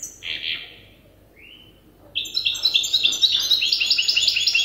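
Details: Young European goldfinch hybrid still learning its song from an older hybrid: a buzzy high note, a pause, then a brisk run of bright, rapidly repeated twittering syllables.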